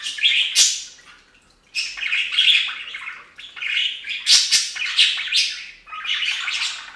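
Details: Several pet budgerigars calling while bathing on a budgie fountain: bursts of harsh, scratchy chirping and squawky chatter, each lasting about a second, with brief quiet gaps between them.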